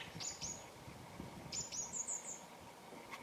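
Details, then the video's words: Thrush calling outdoors: a series of very high, thin, short notes with quick downward slurs, given in two bursts, the second a rapid cluster of four or five notes, over a low rumble of background noise. "Thrush Bird Calling"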